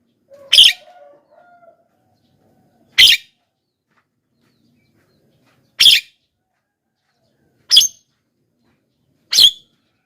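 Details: Javan myna lure calls for wild birds: a faint whistled note, then five sharp, raspy squawks spaced two to three seconds apart.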